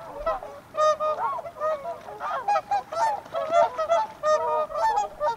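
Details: Bugling whooper swans: loud, brassy honks repeated about every half second, each a short nasal blast with strong harmonics, a steady run of calls.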